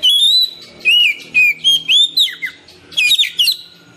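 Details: Oriental magpie-robin singing, natural song played to spur lazy caged birds into singing and to lure wild birds: loud clear whistled notes, some sliding up or down, with quick chattering flourishes near the end.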